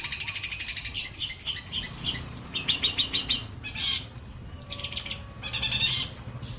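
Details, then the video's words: Long-tailed shrike with a white breast giving a mix of high chattering trills and scratchy notes, interrupted by short harsh bursts and brief gaps. "CENDET DADA PUTIH MATERI MEWAH"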